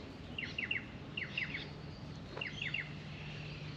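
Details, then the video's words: Australian magpie pair, female and male, drinking at a birdbath, making small warbling sounds: three groups of rapid high chirps in triplets separated by short pauses, one brief lower note between, low hum behind. "Australian magpies drinking at birdbath and making warbling noises"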